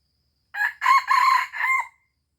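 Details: An Aceh red junglefowl gives its lure crow: a short rough note, a pause, then a loud extended buzzy phrase and a final descending syllable, sharply clear with silence before and after.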